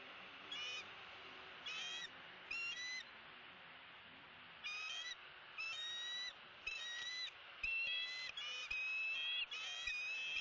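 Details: Wild female bald eagle at a Southwest Florida nest, filmed by nest camera on 3 February 2017, screaming to greet her mate as he delivers a headless fish: bursts of high, ringing, harmonic chittering notes, about ten runs, with steady background hiss.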